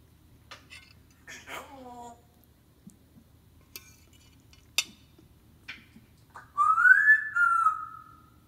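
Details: A 40-year-old female Congo African grey parrot mimics construction noises: a few speech-like mutters and sharp clicks, then a loud, drawn-out whining whistle that rises and levels off.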